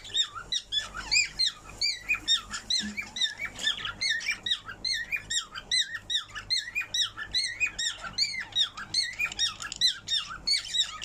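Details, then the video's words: Pet parrot singing indoors in a small room: a rapid stream of squeaky, whistled, wavering notes, about two to three a second, bright and high-pitched, with rising and falling slurs throughout. "Parrot Singing"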